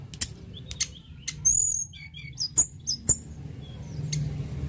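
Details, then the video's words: Mountain tledekan in active song to prompt singing: high bright chirps and short paired whistles in a quick cluster midway, set among dry clicks and a low background hum. "Tledekan gunung gacor mantap mantap"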